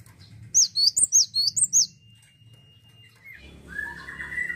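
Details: Cinereous tit delivering a short run of rapid, high, chipping two-note phrases, repeated about seven times, followed by quiet and then a louder low background drone with a wavering mid-pitched tone.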